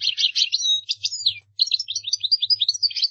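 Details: European goldfinch singing a fast, dense twittering stream of bright, high chirps and buzzy trills, broken by one brief pause midway.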